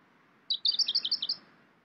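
A pink robin gives a quick run of about ten high, thin twittering notes in under a second, against a faint low background hush.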